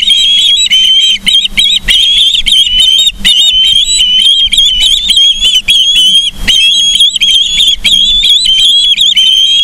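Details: Osprey calling at its nest in Charlo, Montana, from a live cam on 31 August 2023, 09:36: a fast, unbroken stream of sharp whistled chirps, several per second, with a steady electrical hum beneath.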